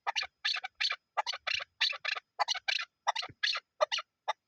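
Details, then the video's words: A chukar partridge gives a fast series of harsh, clucking chuk notes in uneven bursts, nearly three per second, with no other sounds. "chakor sounds"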